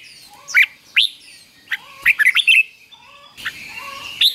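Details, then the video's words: Red-whiskered bulbul double-phrase song used to train young birds: bright, liquid chirped notes in quick bursts, climbing into a tight rolling phrase midway, then a few more sweet chirps over faint hiss. "นกเบิ้ลอาชีพง่ายๆ ฟิก-จิก-ฟก ล้วนๆ"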